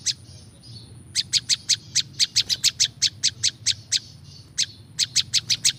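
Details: Prinjak lumut, a prinia, in a natural recording for luring wild birds: a quiet opening, then repeated piercing high chirps, several a second, one short pause midway, low background hum.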